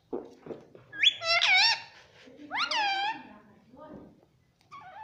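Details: Talking pet ringneck parrot at home gives two loud, drawn-out, rising-falling harmonic calls, then softer trailing syllables, with faint low voice-like sounds in the background.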